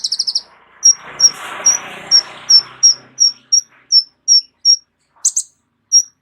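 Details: Caged kolibri ninja sunbird with a full, rich song repertoire, kept as a vocal tutor for other songbirds. It gives short, sharp high chips repeated about three times a second, with a burst of broadband rustling noise early on.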